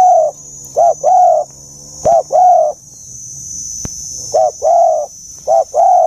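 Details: Deep, mature-voiced dove coo in the giọng già rừng sát bổi style. Paired hollow notes, a clipped one then a drawn-out one, come in bursts separated by short pauses, over a thin constant high hum.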